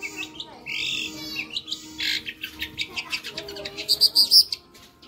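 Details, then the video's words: A long-tailed shrike in lively, full song, used as a tutor recording, gives a varied, scratchy song of buzzy chatter, rapid twittering notes and sharp high whistles near the end, over a faint steady hum. "suara masteran burung cendet gacor ,isian hidup"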